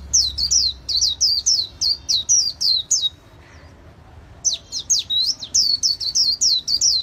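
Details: High white-eye chirps in the líu xòe style from an artisan's bird: rapid repeated notes, a short near-silent break after three seconds, then another quick run of sharp descending notes.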